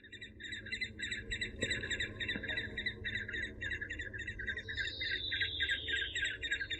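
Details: Eurasian hobby giving a fast, steady series of short chattering notes, about three to four per second. A thin descending whistle runs through the second half over a low background hum.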